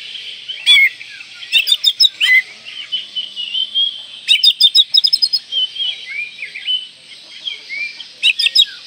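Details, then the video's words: Oriental magpie-robin singing a varied song to keep it in breeding form and rouse rivals: a sweet, fluid whistled thread punctuated by harsh clustered clicks and rasps near the start, middle and end. "Kacer Gacor Full Isian Mewah Merangsang Birahi Agar Tetap Gacor Ngobra Dan Lawan Jadi Emosi"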